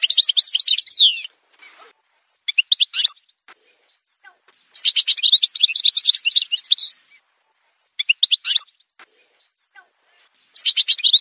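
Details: Algerian goldfinch song from an edited montage recording: bursts of bright, rapid twittering notes lasting one to two seconds, separated by short silent gaps with a few scattered clicks.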